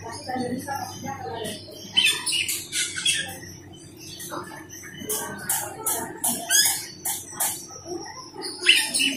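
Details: Asian glossy starling, called cucak keling or perling, used as a lure for its own kind: busy shrill chatter of clicks, squeaks and harsh notes in rapid irregular bursts, with a low hum beneath.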